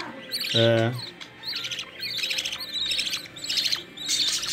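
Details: Captive budgerigar chicks in the nest, fed by their mother, give rasping begging chirps in quick bursts after a short low voiced sound at the start.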